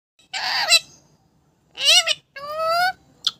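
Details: Pet parrot kept at home, giving three loud calls: a harsh raspy burst, then a wavering harmonic squawk, then a steady, slightly rising drawn-out whistled note, ending with a brief short note.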